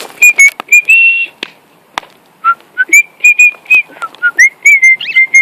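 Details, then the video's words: Singing male pet cockatiel in flight delivers fast chains of short, high, clear whistle notes, one long held tone early, a brief pause, then steady repeated notes with small pitch dips. "My cockatiels singin and flyin"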